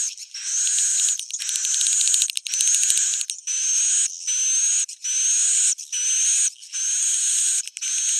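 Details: Roosting call of the edible-nest swiftlet, used to draw swiftlets in to roost: harsh, sustained high buzzing twitters in bursts about a second long, repeated with short pauses.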